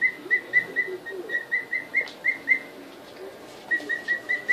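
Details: Newly arrived emu chicks aged two weeks, first seeing the house in February 2013, give soft repeated whistled peeps at an even pitch, roughly three each second, falling silent for about a second before resuming.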